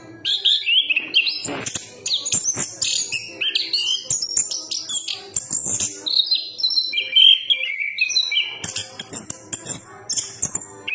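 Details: A chestnut-capped thrush sings a long, rich medley of warbles, whistles and descending slurs, running almost continuously, accompanied by frequent clicking noises.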